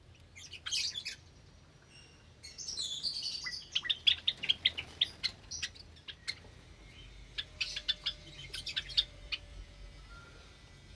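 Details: Java sparrows in a cage aviary with many recently hatched chicks, Sunday morning, 8 May 2022: high, sharp chirps and short buzzy bursts from several birds, coming in clusters with brief pauses, over a faint low hum.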